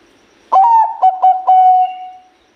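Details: Bangkok-type zebra dove in full song, voice loud and melodious: a sudden bright onset, three or four quick hiccuping notes, then a long even coo that slowly fades. Quiet background.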